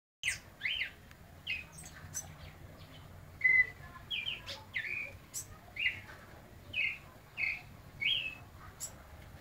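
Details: White-necked thrush singing a little at midday: short clear whistled phrases, rising and falling notes repeated roughly every half second to second, with brief gaps and faint background hiss.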